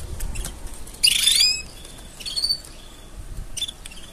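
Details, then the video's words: Canary mating song used for training: a short bright burst of rapid high trills with a sharp whistled sweep, followed by brief scattered chirps and another small trill near the end. "Tone Up Your Canary's Singing with These Mating Sounds!"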